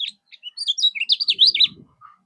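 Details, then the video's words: High-pitched common iora song from a masteran recording meant to provoke rival birds into replying: quick chirps leading into a loud string of sharp, zigzagging whistled notes, with a faint low rustle near the end. "Masteran berbagai macam burung , bisa gunakan kecial kuning mol ini"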